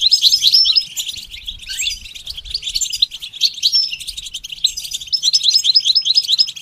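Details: Training song of a goldfinch: a loud, full twittering opening, then quick clipped notes repeated about two to three times per second toward the end.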